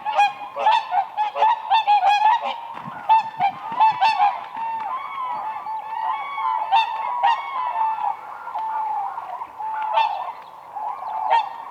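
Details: Whooper swans displaying together on lake ice in spring, a continuous chorus of trumpeting, nasal honks and drawn-out wavering calls from many birds at once.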